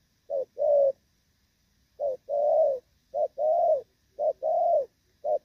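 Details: Spotted dove of the Thổ Pha type, moulting, recorded 3/6/2024, gives its rước and gù cooing: each phrase is a short clipped note and then a longer steady coo, repeated in pairs with a pause near one second.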